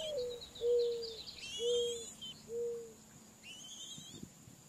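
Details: Mourning dove cooing while feeding its young: four low, soft, drawn-out coo notes about a second apart, with higher whistled calls of other birds above and a faint steady background hiss.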